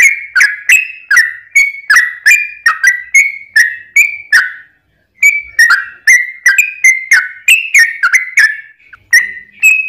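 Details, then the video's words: Long rapid song of a yellow-vented bulbul, played to spur other bulbuls to reply; a steady chain of liquid, warbling whistles, a brief pause near the middle, then the chattering run resumes. "trucukan gacor ROPEL PANJANG buat pancingan trucukan agar bunyi"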